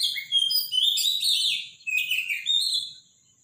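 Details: Robin singing in the morning, powerful and loud: bright, tumbling phrases of high whistles and trills, one phrase breaking off and another following before fading, with a constant thin high tone behind.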